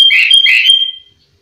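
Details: Sooty-headed bulbul in full singing form, a master recording for training other bulbuls, with mimicked phrases of prized birds; two loud, slurred whistled notes with a buzzy edge, then a sustained high tone fading out within a second.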